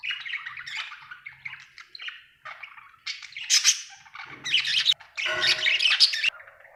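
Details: A happy pet budgerigar chirping: continuous warbling chatter of buzzy squawks and chirps, growing louder and harsher toward the end, with a faint low hum underneath.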